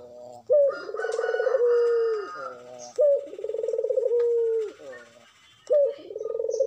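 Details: Madura spotted dove in breeding condition, a contest-quality singer used as a lure: three phrases about 2.5 seconds apart, each a bright rising note, a rolling throbbing trill, then a drawn-out even tone sinking at the end.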